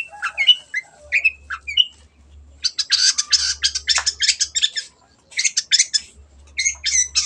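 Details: Long-tailed shrike lure song to get stalled birds singing: a few whistled, slurred notes, then long harsh rattling chatter, a short silence, and more rasping bursts, low hum in the background.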